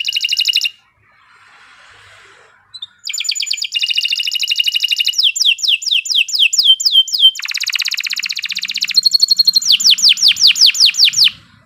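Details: Long gacor canary song meant as a master for teaching other birds: a buzzy burst, a pause, then dense rattling trills, quick falling whistled sweeps, and repeated sharp chips, ending abruptly.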